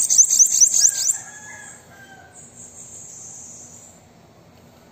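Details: Bananaquit, sung to prompt a kept bird to sing: an opening second of quick, shrill, zigzagging notes, then a long thin high hiss fading out.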